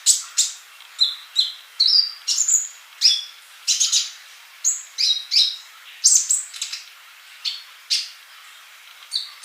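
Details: Singing male olive-backed sunbird meant as a model for young birds that are still mute: crisp high chirps and short whistles spaced about half a second apart, steady throughout.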